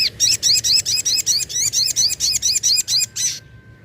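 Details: Sunda pin-striped tit-babbler, locally called sogok ontong or sogon, used as a lure: a rapid run of about fourteen loud, harsh, buzzy chevron-shaped notes, evenly spaced over three seconds, then stopping.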